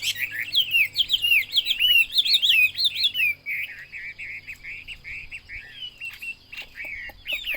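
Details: Chinese hwamei (wambi) pouring out a loud, fast run of looping whistled notes for about three seconds, then softer clipped phrases, with a faint steady high tone in the background.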